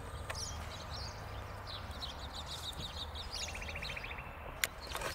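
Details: Spanish sparrows in Bulgaria, recorded 28 April 2017; a busy flock of overlapping chirps with a quick even rattle of notes near the end, over a steady low rumble.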